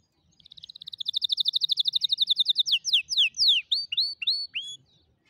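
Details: Canary song for training young birds to sing: a quick, even trill swelling in loudness for about two seconds, followed by slower downward-slurred notes and several hooked, rising whistles.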